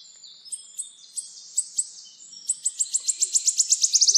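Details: Wood warbler song opening with spaced high ticks over faint chirps of other birds, the ticks quickening steadily into a rapid stuttering run that builds toward the trill.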